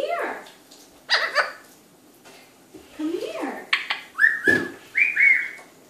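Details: Indoor Eclectus parrot talking in the evening, a mix of short speech-like sweeps and chatter ending in several clear, flat whistled notes repeated at roughly half-second intervals.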